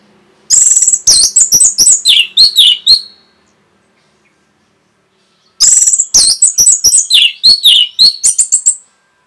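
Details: Orange-headed thrush in fast, tightly packed song, used to stir other songbirds to sing. Two dense bursts of about two and a half seconds each, full of quick chirps, trills and downslurs, separated by a pause.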